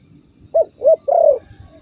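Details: Spotted dove masteran meant to provoke rival doves: a brief phrase of two short arched coos followed by one longer, fuller descending coo over light background noise.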